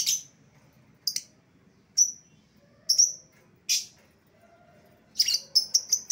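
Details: Lovebird lure call used to call back an escaped lovebird: sharp high shrill chirps spaced about a second apart, then a quick burst of four or five piercing notes near the end.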